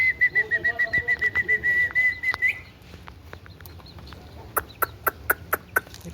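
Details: Indian ringneck parakeet whistling a fast, pulsed, even-pitched tone for about two and a half seconds, then a pause with scattered clicks and a run of sharp, repeated ticking notes.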